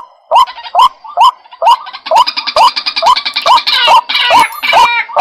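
White-breasted waterhen calling in a loud, rhythmic series of harsh, rising notes, roughly two per second, with a rough, grating overlay that grows busier toward the end.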